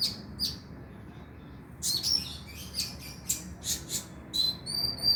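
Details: Konin, a kolibri ninja sunbird, played as a lure to prompt singing at night: bursts of thin, very high chirps and short sharp trills, some sliding whistles, in irregular clusters separated by brief pauses; quiet background.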